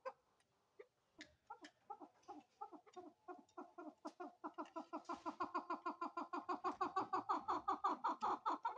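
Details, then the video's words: Female chukar call that begins with a few scattered clucks and builds into a loud, quickening run of regular chuck notes. "Female chakor voice||Female chakor sound|| Chukar voice"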